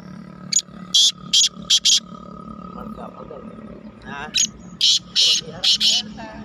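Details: Black francolin, or kala teetar, heard in the rainy season on 31 May 2023. It gives loud rasping phrases of five or six clipped scratchy notes, repeated after a pause, with faint voices and a low hum underneath.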